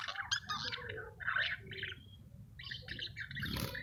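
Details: Budgerigars in breeding condition, mating and regurgitating food in a cage, give busy, scratchy warbles and chirps in quick bursts with short pauses between phrases, over a low background rumble.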